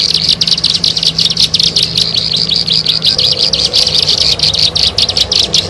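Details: Sharp, high chirps of a bar-winged prinia repeated in fast irregular series, a lure recording with a steady low hum in the background.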